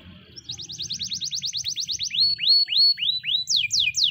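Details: White Spanish Timbrado canary in training song, delivering a fast run of repeated rising-falling high notes, then slower looping swoops and a few steep descending notes.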